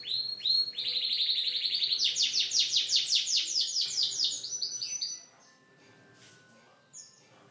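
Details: Canary delivering a strong, continuous trill of rapidly repeated rich notes for about five seconds, swelling in loudness, then stopping abruptly with one brief chirp afterward.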